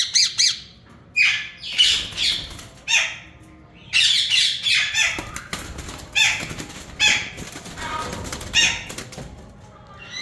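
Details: Yellow Indian ringneck parakeets, a breeder pair, giving harsh, raspy squawks in bursts of about half a second, repeated irregularly every one to two seconds over ten seconds with brief quiet gaps between.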